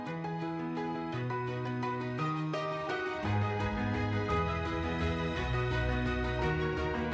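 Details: Instrumental music with steady melodic notes and a low bass line throughout, with no bird or other animal voices.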